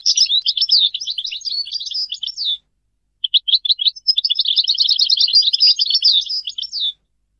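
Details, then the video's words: European goldfinch in song: long, loud phrases of fast jangling twitters and trills, each ending in a downslurred note, broken by a short pause and a few scattered notes. "Goldfinch singing - canto del cardellino"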